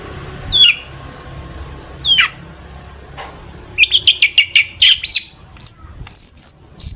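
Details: Long-tailed shrike singing a full, mimic-rich song to provoke other shrikes: a few slurred descending calls, then a quick series of clipped chirps and high, thin sustained whistles.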